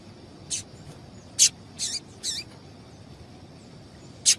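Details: Calls of a female seedeater, used to spur a male into song: brief, dry, clicking chips, five in under five seconds, some doubled, with near silence between them.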